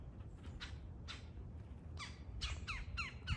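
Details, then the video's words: Territorial fight between wild woodpeckers: scratchy, downslurred squawks, sparse at first, then coming faster and louder near the end, over a steady low-pitched background noise. "Woodpeckers fighting for territory"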